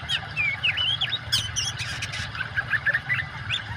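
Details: Oriental magpie-robin song blended with water sound for conditioning caged birds that have gone quiet: bright looping whistles and short trills in fast succession, backed by a persistent low watery rumble.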